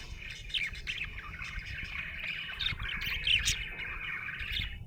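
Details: Budgie in a happy mood warbles continuously, a buzzy chattering stream dotted with bright squeaks and clicks.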